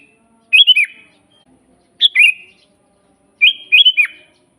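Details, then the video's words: Master recording of a sooty-headed bulbul for training birds and luring wild ones: three bubbly whistled phrases with several quick rising and falling notes, separated by pauses of over a second. "suara burung kutilang GACOR asli paling banyak dicari buat masteran"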